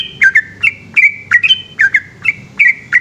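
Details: Yellow-vented bulbul in full night song, 'ropel' style: loud, bright chirps, each bending downward, some joined by a thin whistled trail, about three per second.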